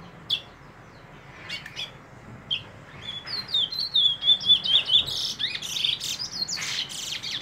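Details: Brown bullfinch: a quick run of thin, high chirps that wobble up and down, about three a second, mixed with scratchy rustling bursts and faint earlier notes.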